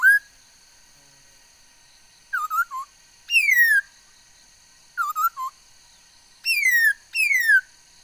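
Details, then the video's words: Laughingthrush with a varied song, 13 August 2021: short triple-note groups alternate with ringing downslurred whistles, often doubled, in phrases repeated every second or two. "noog sab hwj txawj quaj tau ntau yam suab khúớ mầi hót"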